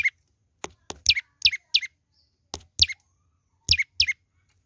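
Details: A young olive-backed tailorbird chatters steadily. It gives bright, downward-sweeping chirps in quick pairs and triplets, repeated every second or so, between sharp clicking taps.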